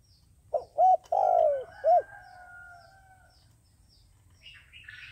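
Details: Decoy dove used by trappers to call in wild doves, giving a single cooing phrase: a soft lead-in note, two short hoots, a long wavering coo, then a clipped final hoot. Faint chirping from another bird follows in the quiet.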